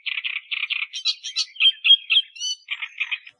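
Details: Australian reed warbler singing in the wild, used as a tutoring recording for cage birds: harsh, grating chattering notes repeated in quick groups of two or three, broken by a few higher squeaky and whistled notes.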